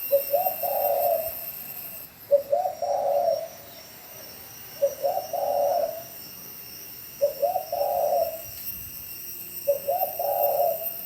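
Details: Spotted dove from Bảo Lộc, Lâm Đồng, Vietnam, repeating its low coo five times at roughly two-and-a-half-second intervals. Each phrase is a few quick notes followed by a longer burry note, against a faint hiss.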